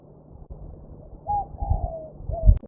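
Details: Wild spotted dove at Mai Po Nature Reserve, Hong Kong, February 1999: a short series of soft, low coos, each gliding slightly downward, with low rumbling background noise and a sharp click at the end.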